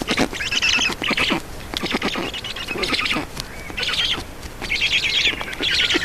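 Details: Black storks at a nest in Estonia during an adult's feeding visit, evening of 4 June 2019: bursts of harsh, rasping, hissing calls with rapid pulses, repeated in loud clusters.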